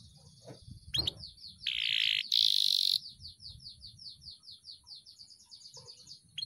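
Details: Canary worked up before a singing contest, mixing harsh buzzy bursts with a steady string of quick descending chirps, about four per second, and a faint low rumble underneath.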